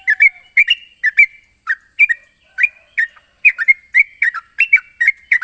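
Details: Sooty-headed bulbul calling a rival with crisp, bouncy chirps, some in doubled pairs, repeated steadily, set against a persistent thin high hiss.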